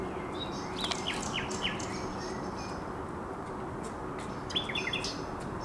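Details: A common nightingale sings from a cape on the Żerański Canal, 30 April 2021, with scattered chirps and brief downslurred notes in two short bursts, separated by a pause, against a steady noisy background.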